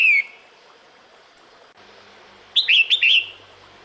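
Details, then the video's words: Female red-whiskered bulbul calling to males in the breeding season: one bright whistled note, then after a pause a quick run of three or four rich, bubbling chirps. "Tiếng Chào Mào Mái Gọi Trống Mùa Sinh Sản"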